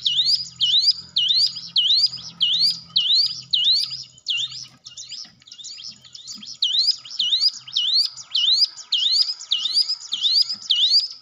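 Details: Hill prinia song meant to stimulate a silent caged bird: long series of bright, swooping upslurred whistles, rapid and regular, a brief softer break midway, over a faint low rumble early on.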